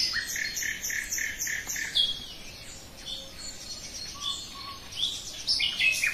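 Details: Common nightingale singing in a forest: a run of short phrases built from quick repeated notes, some low and some high-pitched, with brief sharp whistles between them.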